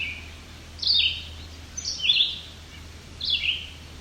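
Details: A family of at least five White-breasted Nuthatches, young with parents, in rocky alvar near Cape Chin North, Bruce Peninsula, Ontario, 17 July 2019; quiet, short, high, slurred falling notes in small bursts about once a second over low hum.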